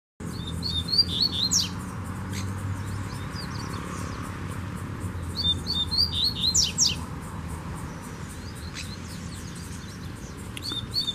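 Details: Double-collared seedeater singing from a distance in a bamboo grove: two bursts of quick, high twittering and warbled notes, with a pause between them and a short phrase starting at the end, over a steady low hum.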